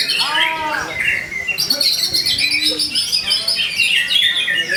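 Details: White-rumped shama in full song, meant to stir other shamas to sing. Descending mellow whistles open, then a dense burst of high chirps, trills and buzzy notes follows without pause.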